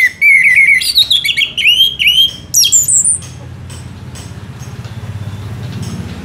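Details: Orange-headed thrush delivering a sustained gacor song for songbird tutoring: a three-second stream of fluid whistles that wander and step downward, capped by a few high sharp notes, then quiet with low background noise.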